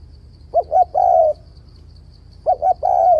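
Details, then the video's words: Spotted dove call used to lure doves to a trap, in changing-voice style with bo notes: two quick low coos followed by a long, level croo, repeated after a short pause, over a soft rumbling background. "Tiếng cu gáy kích bổi bẫy đấu ,//tiếng chim cu gáy đảo giọng kèm bo liên tục"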